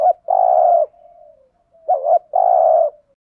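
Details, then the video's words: Spotted dove decoy cooing to draw in wild doves. A long steady low coo, a gentle fading murmur, then a quick double note followed by another sustained coo. "Tiếng chim cu gáy kích bổi rất hiệu quả/ cu cườm thúc gù bài bản, cu cườm mồi gáy giọng hay"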